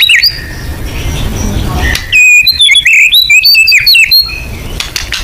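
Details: White-rumped shama 'nembak' lure song: after a quiet start, a loud burst of bright, varied whistles, chirps and warbled notes follows in quick succession, then fades. A low background rumble runs throughout.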